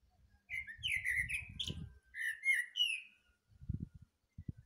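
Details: Morning song of a thrush: a run of clear whistled and slurred phrases, rising and falling, delivered rapidly over low rumbling and knocking background noise.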